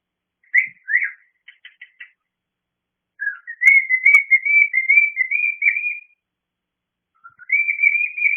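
A cockatiel whistles clear, warbling notes, then a long wavering whistle, calling for attention.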